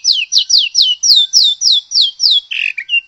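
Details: Loud, evenly spaced downward-sweeping whistles from a white-rumped shama, about nine in a row at roughly three per second, ending in a rougher buzzy note; meant to provoke other shamas to sing.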